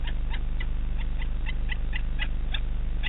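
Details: A male saker falcon (Falco cherrug) on a short visit in Romania on 9 February 2018 gives a rapid, harsh, cackling series of calls, about three or four per second, over a steady low rumble.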